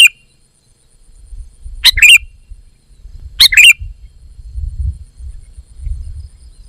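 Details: A sooty-headed bulbul gives brief liquid, warbled phrases about a second and a half apart, each a quick rising-falling twitter. Low rumbling background noise fills the gaps.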